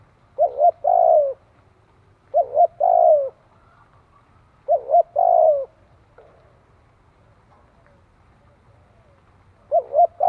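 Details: Decoy-training Spotted dove giving four coo phrases at uneven gaps, with a long pause before the last, each phrase a short double hoot and a drawn-out low coo.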